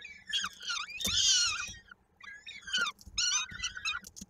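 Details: Nest of peregrine falcons in Koszalin, Poland, on 16 May 2022, as an adult feeds young and a chick's foot is caught in a beak: shrill, quavering wails with slurred downward notes, one long loud screech in the middle.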